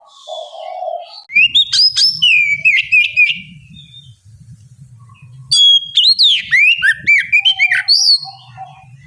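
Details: Oriental magpie-robin used as a bait song to prompt other birds to sing: loud bursts of varied whistled and sharp notes, rising and falling between phrases, in two long runs with a quieter gap and low background rumble.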